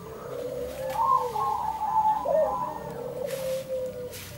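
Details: Zebra doves calling back and forth near blooming sunflowers: overlapping soft cooing trills from more than one bird, one voice higher and one lower, running almost continuously with brief rising notes.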